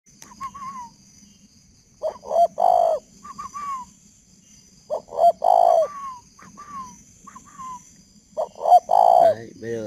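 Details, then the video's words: Male spotted dove kept with a decoy bird in Ba Vì, Hanoi, Vietnam, calling at 11 p.m.: loud, hollow cooing phrases of a short lead note then deeper throaty coos, repeated roughly every three seconds, with a faint steady hum behind. "Nửa đêm chim cu vẫn gáy"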